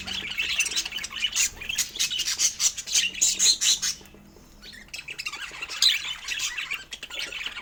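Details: Pet budgies feeding on fruit give rapid high chirps and squawky warbles in pulsing bursts, pausing briefly near the middle before the bright chatter resumes.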